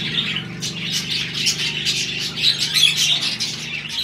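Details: Budgerigars, Australian parrots, pairing and mating during breeding season; a dense run of quick chirps and warbled squawks fills the air nonstop, with a low steady hum underneath.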